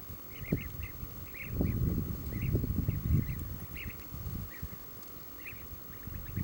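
European bee-eater giving soft, rolling, liquid 'prruip' notes in quick bursts, several per second, over a heavy low rumble of wind.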